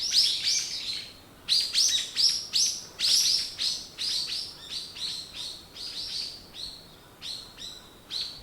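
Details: Birds singing in the morning: dense bursts of high, bright chirps and short twittering phrases, overlapping and repeated in quick succession, with several birds apparently calling together.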